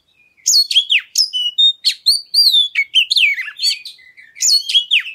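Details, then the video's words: Oriental magpie-robin lure song to provoke other birds into singing: a steady, varied run of loud whistles, rising and falling slurs and rapid chirps, with only brief gaps between notes. "Pancingan Suara Kacer Segala Medan Dan Cuaca"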